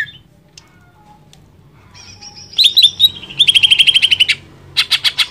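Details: Greater green leafbird in full, lively song played to excite other leafbirds: a quiet start with a thin whistle, then a rapid metallic run of about twelve notes, a short pause, and five loud clipped notes.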